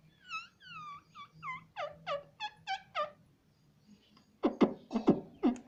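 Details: Parrot vocalizing in a talking session: a run of descending, tonal syllables and short repeated notes, then a pause followed by several loud, harsh bursts near the end.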